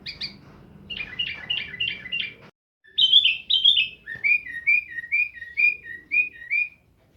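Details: Sooty-headed bulbul, a kept bird in Jember, East Java, in full 'isian' song: a quick run of clipped chirps, a brief silence, then louder rolling whistles and a steady series of falling whistled notes about twice per second.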